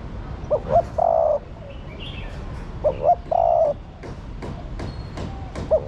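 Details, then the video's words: A female spotted dove coos to urge on a male. Two full phrases: a pair of brief upswept hoots, then a drawn-out steady coo. A third phrase begins at the end, with faint distant birds behind. "Chim Cu Gáy Mái Thúc Trống Nhạy Bén. Tiếng Chim Cu Mái Gáy Kích Bổi Hiệu Quả"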